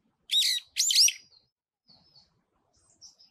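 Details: Brown-eared bulbul singing on a pine tree: two loud, harsh, squealing notes in quick succession, each sliding up then down, followed by a few faint, soft high notes in near silence.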